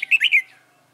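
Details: Short, loud, liquid warbled phrase of three quick notes from a white-cheeked red-whiskered bulbul during trapping with a decoy on 26 June 2018, fading out into quiet.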